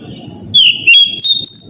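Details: Oriental magpie-robin lure song at morning, meant to draw responses from other magpie-robins. A downslurred whistle followed by climbing, bright whistled notes, with a low rumble in the background.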